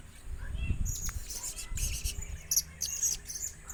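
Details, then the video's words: Young tame pet blue-crowned hanging parrot, about one year old, hand-raised from a chick, giving short, thin, high chirps in irregular bursts over a low rumbling background. "Burung serindit muda jinak"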